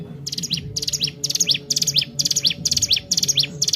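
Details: Sunda warbler, known locally as ciblek gunung, singing nonstop as a lure for training other birds: short buzzy high bursts, each ending in a quick rising-falling slur, repeated about twice a second over a low steady hum.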